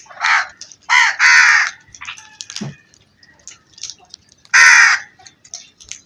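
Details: Crow giving harsh, raspy caws: a short call, then a double caw around one second, a pause with faint clicks and a low thump, then one loud drawn-out caw near the end.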